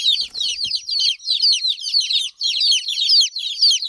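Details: Baby chickens peeping in a busy group, bright high notes that slide downward, packed closely in quick bursts roughly twice a second, with a soft tap at the start.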